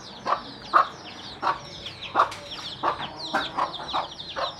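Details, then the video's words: A mother hen gives spaced, husky clucks, roughly one every half second to second, calling her young to food. Chicks keep up shrill descending peeps in the background. "เสียงแม่ไก่ดังกุกๆเรียกลุกมากินเหยือ/Tiếng gà mái"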